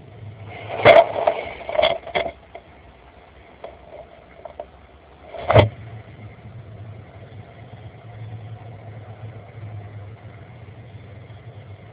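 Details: Vehicle and engine noise with a low steady hum and a few sharp knocks, and no animal calls.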